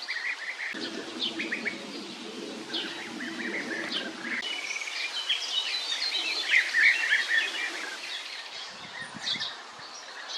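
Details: Several European bee-eaters give overlapping short trilled notes in a steady busy stream, with a low hum during the first seconds and soft background noise.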